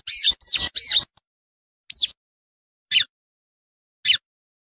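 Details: Lined seedeater singing in the wild: three harsh, buzzy, high notes in quick succession, then single scratchy downslurred notes spaced about one second apart against a quiet background.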